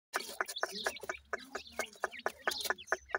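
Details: Grey francolin chicks giving short, clucking chirps with a slightly tonal ring, repeated about twice a second in an uneven run, loud and close, over a faint low background hum.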